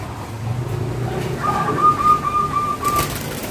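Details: Cooing zebra doves: a wild breeding-condition female answering a local male set out in the sun; after a low rumbling start comes a loud, rapid series of clipped, same-pitched coo notes lasting about a second and a half.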